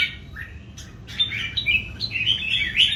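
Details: Red-whiskered bulbul singing duel, three old wild-caught birds: a short quiet note, then sharp upward flicks leading into bright, rapid warbled phrases, over low background rumble.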